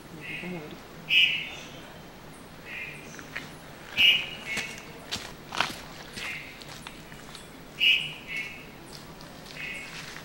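White-throated Thrush giving short, mid-high call notes every three to four seconds, with softer notes between and faint rustling in the background.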